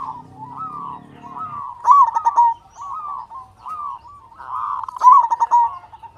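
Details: Local Indonesian zebra dove with a big, loud voice, singing as a lure to get other zebra doves to sing. Mellow coos near one pitch repeat steadily, broken by a louder rolling phrase twice; a low hum fades early.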